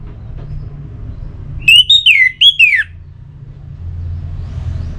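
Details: Song of an orange-headed thrush meant to rouse other birds into singing: one phrase of four clear whistled notes, each sliding downward, the last falling furthest, with a steady low hum behind it.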